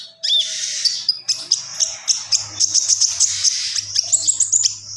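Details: A common iora pours out a dense, high, scratchy warble packed with quick chips and whistled notes. The sound is nearly continuous for several seconds.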